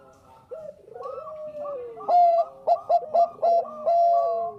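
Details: Actively singing Bangkok-type zebra dove, recorded as a lure: a rippling, falling coo gives way to loud, rapid staccato coo bursts and a long sustained note, other doves cooing softly.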